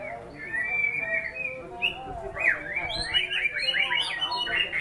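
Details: A white-rumped shama song opens with soft whistled notes, then builds into rapid repeated sweeping slurs and twittering. It grows louder and busier toward the end.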